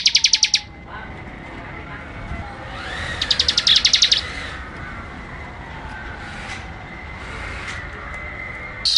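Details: ["Prinia 'ngebren' song: short rattling bursts of rapid, high-pitched buzzy pulses at the start, middle and end, separated by quiet stretches with faint distant chirps."]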